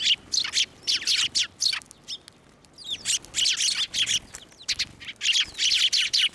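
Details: Several sparrows at a Tenmangū shrine on 11 March 2024 fly onto a hand to be fed, giving a dense, busy run of harsh chirps and squawky chatter almost without pause.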